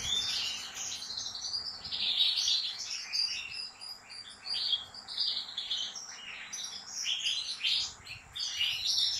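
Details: A European goldfinch of professional breeders, caged, sings an extended slaka-style song: a fast, unbroken stream of liquid twitters, chirps and thin whistles, varying in loudness in waves over about nine seconds.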